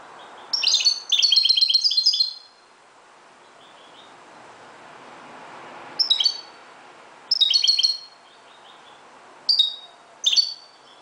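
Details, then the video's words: Moroccan goldfinch singing at dawn: a long, fast tinkling twitter of bright high notes, then shorter bursts after a pause of several seconds, with a soft background hiss. "JILGUERO **تغريد حسون مغربي ** CHANT CHARDONNERET MAROCAIN"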